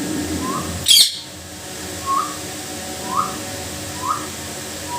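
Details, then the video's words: Pet Indian ringneck parakeet imitating speech, giving short rising talking notes roughly once a second after one sharp high squawk near the start. "talking parrot Bird"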